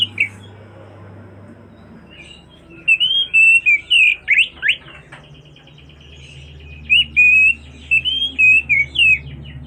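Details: Oriental magpie-robin singing continuously to call its companion: bursts of clear, sweet whistled notes sliding up and down, grouped into phrases, with a quiet pause between bursts and a low steady hum beneath.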